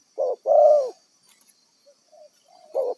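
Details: Spotted dove from the wild, used as a decoy, gives a short coo and a longer hoarse coo, then faint soft notes and another short coo after a gap.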